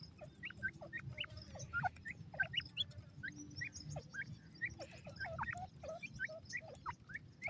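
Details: Black francolin (Sindhi teetar) chicks feeding in the wild give a steady stream of short, rising, thin peeps, many overlapping, over low rumbling background noise.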